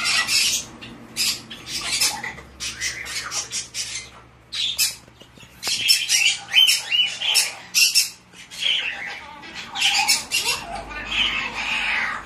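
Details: White-bellied parrot chick, tame and hand-reared, making rapid runs of harsh rasping squawks and shorter chirps in dense irregular bursts over several seconds, with a low hum in the room.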